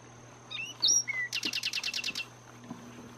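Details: Zapata Wren singing in Cuba's Zapata Swamp: a few thin whistled slurs followed by a quick run of about eight rattling buzzy notes, over a steady low hum.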